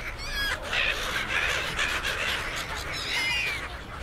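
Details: Hundreds of gulls, perhaps close to a thousand, at the Suk Ta Bridge pier outside Bangkok, Thailand, being fed by people: thin squealing cries rise above a dense continuous chatter of calls and crowd murmur.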